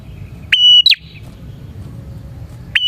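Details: Bar-winged prinia singing, the recording used as bait to attract prinias. One whistle-and-drop phrase with a short buzz, a pause, then the next phrase beginning.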